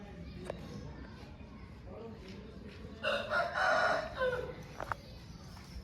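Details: Single crow from an Aseel rooster kept at home, a harsh, buzzy call of about one and a half seconds with a held middle and a falling end, set against steady low rumbling background noise.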